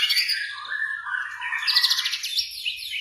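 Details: White-rumped shama singing in a lure recording to prompt a quiet bird, morning or evening: a dense, continuous rich warble of overlapping whistles and fast trills with no pauses.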